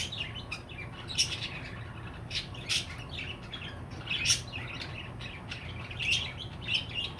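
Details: Scattered sharp chirps and short warbled notes from a pet budgerigar, spaced one to two seconds apart, with a steady low hum underneath.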